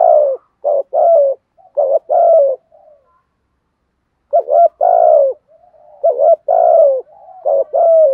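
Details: Standard-style spotted dove coos for provoking wild doves: rapid series of short throaty notes and longer descending coos in two bursts of phrases, broken by a brief silence, hollow and mid-pitched throughout.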